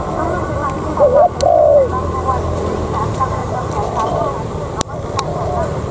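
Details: Spotted dove used as a decoy giving one two-part coo, a short rising note then a longer falling one, among fainter coos, a sharp click and steady background hum.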